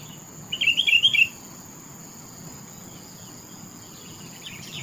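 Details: Sooty-headed bulbul giving one short, bubbly warbled phrase of quick tumbling notes lasting under a second early on, then falling silent; a steady thin high whine runs throughout, with a faint chirp near the end.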